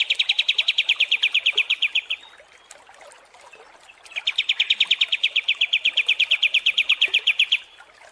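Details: Kapas tembak song for a tutoring recording for contest birds: two long, fast trills of rapid high chattering notes, each running about three seconds, split by a quieter pause.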